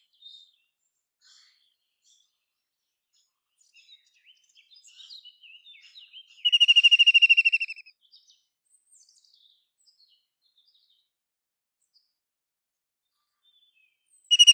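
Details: ['A quiet stretch with faint scattered chirps, then a single strong, fast-pulsed high trill from a White-throated kingfisher lasting over a second. Another loud call begins right at the end.']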